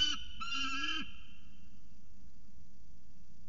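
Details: Peregrine falcon at CSU Orange, Australia, recorded 3 December 2018 as one bird follows another: a harsh, nasal two-part wailing call lasting about a second, then quiet with low rumbling background noise.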